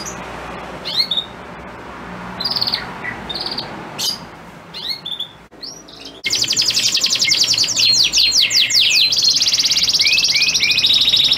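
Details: Caged male canary singing so a female in breeding condition will mate; scattered soft chips and short notes at first, then an abrupt loud, dense rolling trill of rapid high notes.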